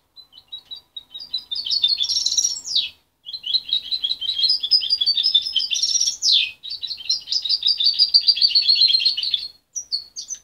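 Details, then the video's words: Young goldfinch hybrid, raised by its mother and separated at 23 days, its song still muddled but promising: long bursts of fast, high twittering and chattering phrases with rising buzzy sweeps, broken by short pauses, no other sounds. "Mixto de jilguero joven"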